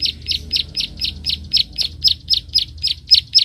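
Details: Rice-field Bar-winged prinia in combat with a rival, producing an evenly paced run of bright, high, clipped 'klik' notes, roughly four per second, with faint low background noise.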